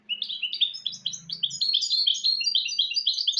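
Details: Goldfinch × canary hybrid (mule) singing a training song for teaching goldfinches and canaries: a dense, continuous run of quick twittering and trilled phrases, with a faint low hum underneath during the first half.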